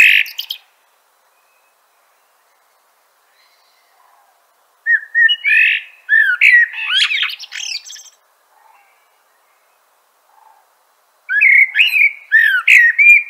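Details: Common blackbird singing in a clean setting: separate phrases of warbled, fluting whistles, each rising and falling and trailing into thin squeaky notes, with pauses of several seconds between them.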